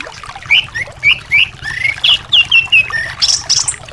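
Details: Thrush song used as therapy to encourage a silent caged thrush to sing: short clear whistled notes and slurred phrases repeated about twice per second, with constant background twittering.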